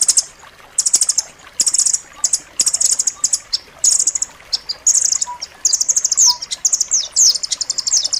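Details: Sharp, dense striated grasshopper-warbler training song for pet birds: rapid high rattling bursts that grow longer and more varied, turning into continuous slurred chirping near the end, with faint insect-like hiss beneath.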